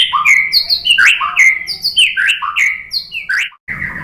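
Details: White-rumped shama song, a lure recording meant to make other birds sing: loud rich whistled phrases sliding between low and high notes, with fast chirps and sharp upslurs following in quick succession, briefly silent near the end.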